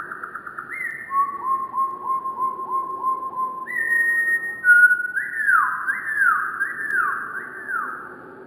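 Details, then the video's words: Wren song from Cornwall, slowed right down into low, drawn-out whistles: a run of falling slurred notes about twice a second, then broader rising-and-falling sweeps over a soft rumble. "Wren Birds Singing with Amazing Slowed Down Audio - Bird Song"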